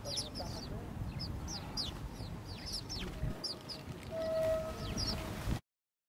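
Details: Tame, fearless house sparrows in the city of Gdynia, Poland, on 19 October 2022, chirping with short, sharp, high notes repeated in quick bursts over low urban rumble, with a steady tone near the end.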